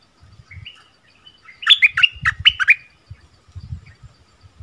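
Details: Bulbul in its 'double' song style, recorded around 24 February 2021: a soft lead-in note, then a rapid burst of loud, bright warbled notes lasting about a second, with low knocking and rustling noises around it.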